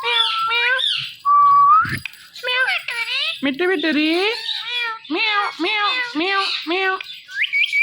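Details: Indian ringneck parakeet, a pet talking parrot, rattling off a long string of quick speech-like and meow-like syllables with a short pure whistle near the start.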